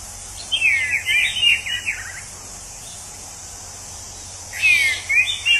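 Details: Orange-headed thrush in the wild giving a rapid run of twisting whistled notes, then a long silent gap and another quick slurred phrase; its singing is compared to a drunk person. Steady insect hiss behind.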